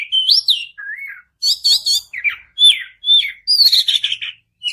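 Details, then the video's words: White-rumped shama, kept bird, singing to stimulate another bird: bright whistled upslurs and downslurs, a short trilled phrase, buzzy doubled notes, and a quick descending series of clipped whistles. "kacer Gacor Panjang || kacer macet bunyi pasti nyaut"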